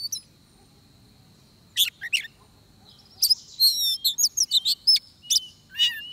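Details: During trapping, an oriental magpie-robin gives scattered sharp notes, then a lively burst of varied whistles, trills and clipped chirps in the second half. The background is quiet.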